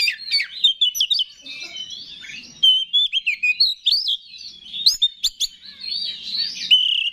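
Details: Oriental magpie-robin song used to rouse other males into singing: rich, varied sequence of slurred whistles, rising and falling notes, chatters and sharp clicks.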